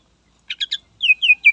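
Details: Greater green leafbird, singing to provoke rivals, gives three quick buzzy chips followed by three clear, falling whistled notes.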